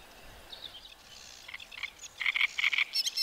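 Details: Great reed warbler from a reedbed, very loud song of short repeated harsh syllables, rasping units delivered in rapid pairs and triplets, ending in higher squeaky notes.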